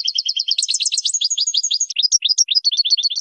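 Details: Training song of the European goldfinch, used to tutor young birds: continuous fast twittering with varied trilled phrases and sharp rising chirps repeated several times per second, with no other sounds.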